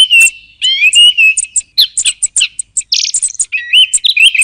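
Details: Song thrush phrases: a drawn-out wavering whistle, then a run of short staccato high notes and a harsh buzzy burst, followed by more whistled notes.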